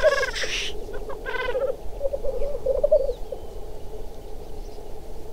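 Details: Black grouse in a chase and fight: two loud, harsh, nasal cackling bursts open, followed by a constant low bubbling murmur with slightly louder rolling phrases midway.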